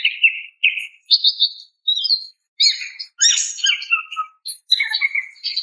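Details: Female greater green leafbird calling to a male: a quick sequence of bright, high chirps and short warbled notes, first clear whistled phrases, then a denser, scratchier jumble of varied chips and squeaky notes.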